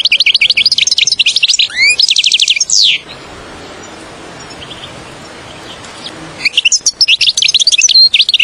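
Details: Goldfinch trapping-lure song: fast high twittering, a rising slur and a quick trill, then roughly three seconds of quiet before more chirping resumes.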